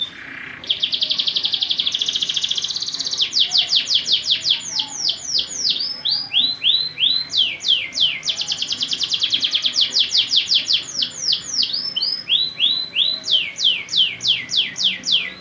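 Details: Long fighting canary training song: a dense buzzy trill, then many rapid rising sweeps in repeated runs, varied by looping whistled notes, loud and continuous throughout.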